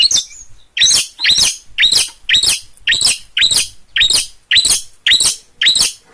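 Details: Long-tailed shrike from Gunungkidul, Yogyakarta, in full gacor song: a steady run of about eleven grating, raspy notes, each with a thin squeaky overtone, repeated nearly twice a second.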